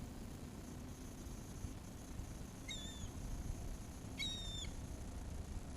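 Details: Seagulls being fed: two brief, clear harmonic cries, a short one then a longer, level one, over steady low rumbling background noise.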